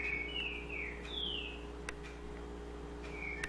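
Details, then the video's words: Pernambuco white-necked thrush giving a few whistled notes that slur downward, a pause with faint clicks, then one more level whistle, with steady background hum. "Sabiá Coleira_ Cheia de Charme"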